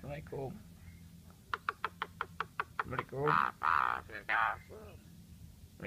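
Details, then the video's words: Asian pied starling imitating human voices: a run of sharp dry clicks, then several drawn-out, nasal, speech-like wavering phrases with a voice-like quality, ending in quieter syllables; indoor room tone underneath. "Jalak suren gacor Unik meniru suara orang"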